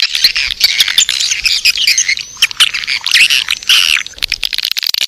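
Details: Edible-nest swiftlets giving a birahi (mating) lure call played to draw swiftlets into a nest house: a dense, high, scratchy chatter of overlapping chirps and twitters, with clicking bursts throughout.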